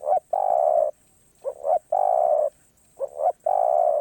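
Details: Spotted dove singing karom pa roi phrases. Three times, a quick pair of rising hoots runs into a long, flat, raspy coo, in a steady rhythm with a silent background.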